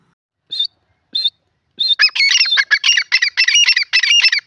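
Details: Grey francolin calling: two short high notes, then a loud rapid run of harsh, clipped, squeaky notes repeated almost without pause.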